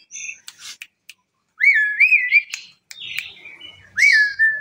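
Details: Asian pied starling singing, said to stir other birds into calling; short clicks and squeaks followed by fluty wavering whistles, a harsh note and another whistled phrase.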